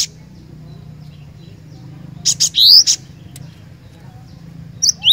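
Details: Cinereous tit in full 'gacor' voice: after a quiet stretch, a sharp phrase of high chips and an upward-slurred whistle, then the start of another phrase at the end.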